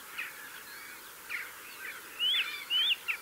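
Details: A mistle thrush singing from a gorse bush near a blue tit and a yellowhammer gives loud, fluty whistled phrases with wavering, rising-and-falling notes in short bursts, with fainter calls of other small birds behind.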